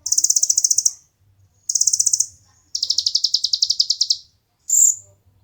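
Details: Several dense, high buzzy trills from a konin, recorded as master and lure material for competition birds, ending with a short loud whistled note, with faint low rumbling between phrases.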